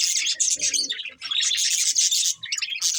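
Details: Pair of breeding budgies warbling continuously, a busy stream of shrill chirps and rasping chatter packed tightly together over a few seconds.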